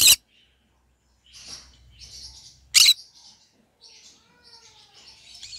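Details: Pet green-cheeked conure singing: a sharp, harsh squawk opens, soft high chirps and twittering follow, then a second loud squawk near three seconds and more quiet chattering chirps to the end.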